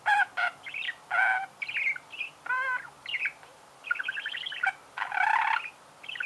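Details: Budgerigar song: loud clicks and squeaks alternate with rattling, harmonic chatter and a descending stepped note, delivered in quick, irregular phrases.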